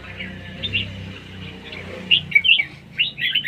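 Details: Red-whiskered bulbul in competition singing of the siêng ché style: soft whistles at first, then louder clipped, bubbly notes in quick clusters during the second half, with a low humming background throughout.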